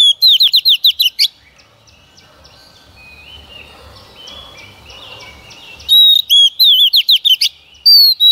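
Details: Singing female white-rumped shama, used to stimulate males, opens with fast slurred whistles, pauses amid faint background chirps, then resumes with pure whistles and rapid downslurs.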